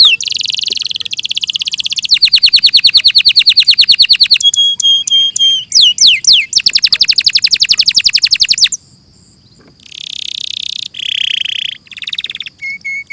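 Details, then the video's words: A canary sings a long, varied song of rapid rolling trills, buzzy rattles and quick rising and falling whistles, switching between high phrases with brief pauses. "suara burung KENARI"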